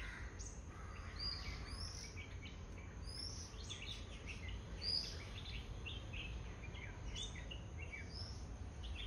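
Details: Bulbuls chirping in a garden: a steady stream of short, bright, high chirps and slurred notes from several birds, overlapping throughout, over a constant low rumbling background noise.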